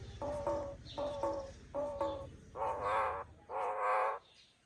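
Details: Common myna calling in the morning: paired short harmonic notes, then longer, harsher, fuller gurgling calls, each about half a second long, spaced roughly a second apart against a quiet background.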